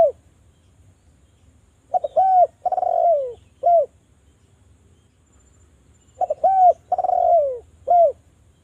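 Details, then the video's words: Spotted dove calling as a lure to make other doves sing: two phrases, each a quick double note, a long purring cooing note sliding downward, then a short clipped coo. About four seconds of quiet separates them, with a low hum beneath. "DERKUKU JAWA Suara merdu TAJAM, pancingan agar BUNYI jadikan burung DERKUKU BUNYI GACOR NGALAS"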